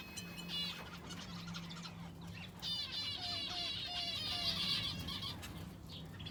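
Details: Aviary finches kept alongside a canary: dense high twittering with a loud run of sharp chirps midway, plus a few lower descending notes, against a constant low mechanical hum.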